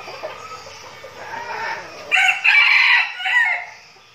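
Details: Red junglefowl (Gallus gallus), a decoy bird from a flock training for forest use, gives one loud, harsh, rooster-like crow lasting about a second and a half, after two seconds of quiet background murmur.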